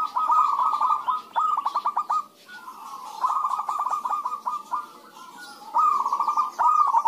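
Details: Several zebra doves cooing back and forth as a lure recording to set other doves singing: bursts of rapid, stuttering low notes running into short rolling coos, one bird answering another, with overlapping phrases and brief pauses between bursts.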